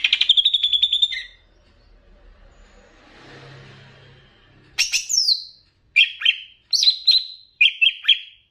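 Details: Greater green leafbird of Banyuwangi type in a training master: an opening rapid trill, a quiet hissy pause, then loud falling whistles and clipped double notes.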